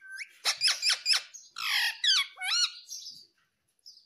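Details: Talking parrot indoors with a burst of loud harsh squawks, a rasping note and nasal warbled syllables, then quiet.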